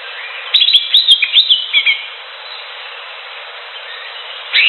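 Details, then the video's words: Green leafbird heard in its natural wild habitat: a lively run of bright, clipped chirps and short trills lasting over a second, then a pause, and a fresh phrase begins at the close. "SUARA CUCAK HIJAU DI ALAM LIAR"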